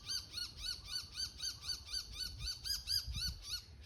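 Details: Shrill, arched 'kii-kii' notes from a bull-headed shrike, repeated steadily about four times a second. This is its autumn 'takanaki' territorial declaration, given around 5:30 a.m. in woods by a bamboo forest at Showa no Mori, Chiba City, Japan.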